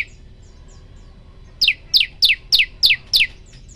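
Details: Prenjak lumut, a prinia, in a tutoring recording: a few faint, thin high notes, then six loud, piercing notes that each sweep steeply downward, delivered about three per second.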